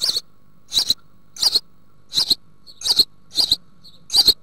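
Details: House sparrow family in the Altmark, Germany, recorded 16 June 2019 at a nest box, the young nearly ready to fledge and being fed large green bush-crickets: harsh chirping bursts repeated about every half second, seven in a row.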